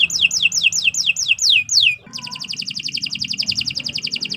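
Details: Canary song used as a training recording for other birds: a run of clear falling whistled notes, about eight in quick succession, then a fast even trill of rapid repeated high notes.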